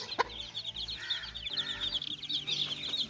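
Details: Little chicks at play, a dense flurry of high rapid peeping with a couple of sharp clicks, over a low droning hum.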